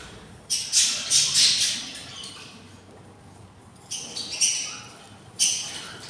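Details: Three separate bouts of raspy, hissing begging from six hungry budgerigar nestlings, day 24 in the nest, with quiet gaps between the harsh bursts.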